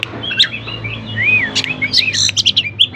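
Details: White-rumped shama in full song, used to provoke other shamas that rarely sing into answering: varied whistled phrases with arching slurred notes, rapid chips and sharp high accents, growing denser toward the end; steady low hum underneath.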